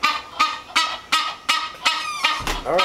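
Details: Female Egyptian goose at a house's back door first thing in the morning, calling to announce she is there and hungry once the lights go on; harsh, nasal honks repeated about every half second, seven in quick succession.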